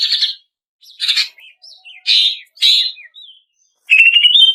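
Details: Lure audio of a female greater green leafbird for cage-bird training: harsh chip bursts spaced about half a second apart, short upslurred whistles between them, ending in a rapid rising trill.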